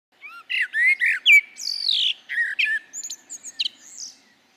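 A common blackbird sings one phrase of mellow, warbled fluting notes that breaks into a quicker, squeaky high twitter near the end. Nothing else is heard.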